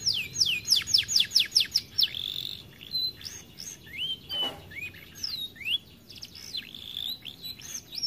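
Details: Overweight canary that is described as reluctant to sing: a rapid string of sharp repeated notes, then sliding whistles and varied chirps, with a brief noisy burst midway.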